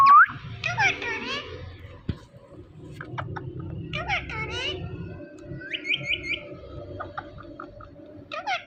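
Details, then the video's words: An Indian ringneck parrot indoors talks in a high, nasal, childlike voice, repeating "Mithu" and "tomato"-like words with chirpy squeaks between them. "Ringneck Parrot Saying Mithu Mithu"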